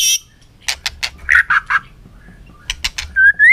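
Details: White-rumped shama, fired up for fighting song in the afternoon sun and showing its búng cầu display: sharp clicking snaps, then a few harsh buzzy notes and a rising whistle to close.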